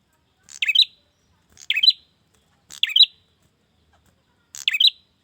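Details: Calling male bar-winged prinia seeking a female, giving four brisk chirp bursts, each a fast scratchy twitter ending in a brief buzz, spaced about a second apart with silent pauses.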